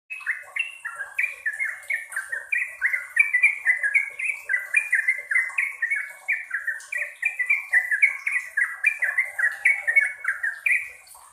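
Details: Yellow-vented bulbul in full song, delivering long unbroken bursts: a rapid chattering string of bubbly, slurred notes, each dropping in pitch, tumbling on for over eleven seconds, with a faint high hiss throughout.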